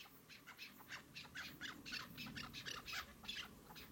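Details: Quick series of rasping chukar partridge notes, bright and scratchy, tumbling out several per second with slightly uneven spacing, over a low constant rumble in the background.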